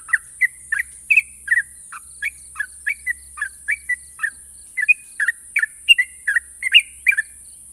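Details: Sooty-headed bulbul, a national contest winner, sings a long series of clipped, bubbly notes roughly twice a second, some linked by thin whistles; a soft low rumble and constant high hiss run underneath.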